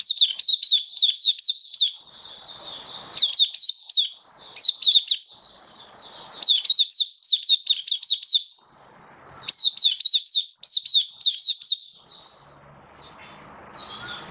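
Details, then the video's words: Long, vigorous song from a caged Oriental white-eye, 27 October 2022: dense, rapid, high twittering in bursts, sharp slurred chirps strung together, briefly pausing near the end amid soft background noise. "Mata Puteh Kitaro Buka Sing"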